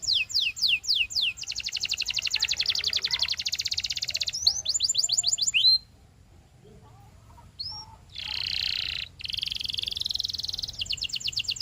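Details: Canary (Serinus canaria) song: fast, high, rolling trills broken by sweeping down-slurred notes and buzzy rattles, with short pauses between phrases.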